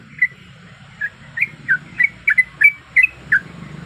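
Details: Female sooty-headed bulbul in breeding condition calling a male, a lure sound: spaced, clear chirping notes quickening into paired slurs, over light hiss and a low rumble.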